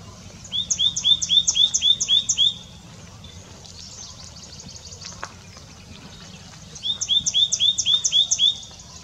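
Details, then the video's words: White-naped Tit in India calling continuously: two bursts of about seven bright, ringing notes, roughly four a second, separated by a few seconds of quiet rural background. "White-naped Tit calling"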